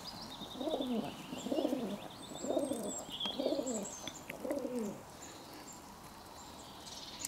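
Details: A pigeon gives five soft, low cooing phrases, each rising then falling, about one per second, over faint high twittering from small birds; recorded 11 June 2022.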